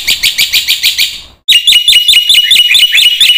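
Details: Energetic black-winged myna song, used to prompt other mynas to sing: a quick series of nasal, rasping notes, a brief pause, then repeated sharp upslurred whistles over a steady buzzing rattle.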